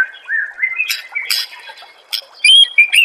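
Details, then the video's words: Shama song from a songbird training master: a rising series of whistles builds to crackling chatter, then ends in high, sweet whistled notes. "Masteran murai AMPUH"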